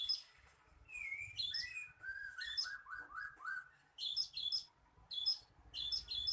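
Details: Lure recording of cinereous tit: a run of descending slurred whistles, then bright buzzy double notes repeated in quick bursts toward the end.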